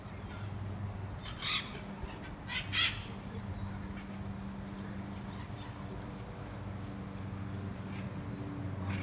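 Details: Feral parrot flock in Costa Mesa Eastside, recorded 11 May 2019: two loud, harsh squawks about a second apart stand out over a steady low hum, with faint thin whistles at the edges.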